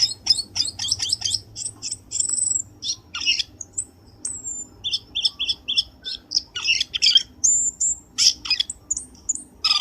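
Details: Black-winged starling lure call for catching birds, a mix of rapid high chirps, short repeated whistles in a row of four, and scratchy notes, with a low background rumble.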